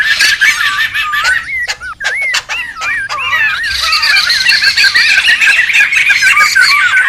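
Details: Noisy wild laughingthrushes, used as a lure and tutor recording: wavy whistled notes near the same pitch keep looping over a dense wash of harsh, rasping chatter. The chatter swells and grows busier in the second half.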